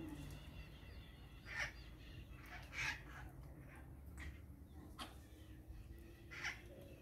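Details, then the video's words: Several parakeets at 16:50 on 17 April 2022 give harsh, scratchy screeches in separate bursts every second or so, over a steady low rumble. "várias maritacas"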